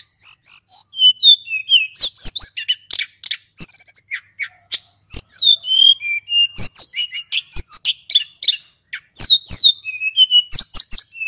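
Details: Male hill blue flycatcher, lure recording, pouring out a long rolling song: continuous strings of high whistled notes and descending slurs, with frequent sharp clicks and chattering bursts.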